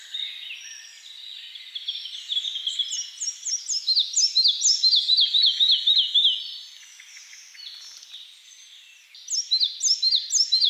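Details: Red-breasted flycatcher singing: a four-second strophe of rapidly repeated, clear, slurred notes that grows louder, then fades, with a new phrase starting near the end; thin high chirps from other birds throughout.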